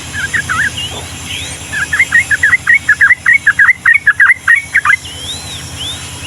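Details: Yellow-vented bulbul, recorded to tutor young birds, gives a few chirps, pauses, then a fast rolling run of about twenty chattering notes; high curving whistles and low steady hum continue behind.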